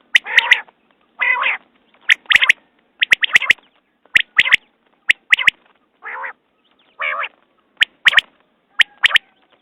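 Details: Common quail giving a repeated call. A soft, nasal harmonic note is followed by paired sharp, clicking whistles. The pattern recurs about once a second through the recording, with nothing else audible.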